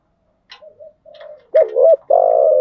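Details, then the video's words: Spotted dove hen calling as a lure for newly caught birds: soft low murmurs and a few ticks, then a loud double coo and a long steady coo at the end. "Tiếng chim cu gáy mồi giọng lôi cuốn hấp dẫn đủ bài[ THÚC GÙ , GÁY GỌI ]"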